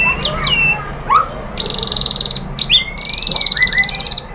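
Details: White-rumped shama singing, played to prompt caged birds to answer: varied slurred whistles and a clipped upsweep, then two stretches of rapid high buzzy trilling with low whistles underneath.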